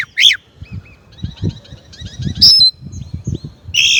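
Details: Song of a Chinese blackbird: a few sharp, high whistled notes and a faint run of soft repeated chips, over a steady low rumble of background noise.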